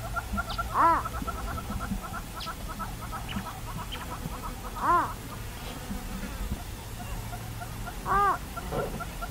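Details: Purple roller (Coracias naevius) in Kruger National Park gives three loud, harsh, stacked calls about every four seconds, over a steady insect hum and low rumble.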